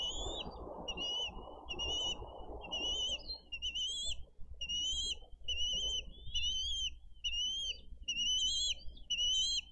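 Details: Wild bald eagles at a Dade County nest, 22 April 2023, parents delivering fish and feeding eaglets on a nest camera; steady series of high, thin, slightly rising whistled peeps about once per second, with a rushing noise in the first seconds.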